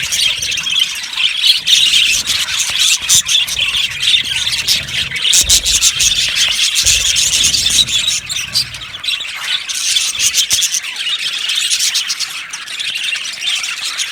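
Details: Colony of yellow budgerigars in an aviary, chirping together in a dense, continuous chorus of high, scratchy twitters and short squeaky notes that rise and fall in loudness throughout.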